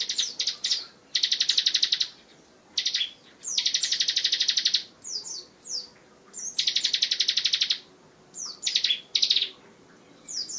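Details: Tutor recording for other songbirds of a bar-winged prinia in the 'tembakan rapat' style. Long, dense, rattling high trills alternate with short chattering bursts, repeating several times without pause.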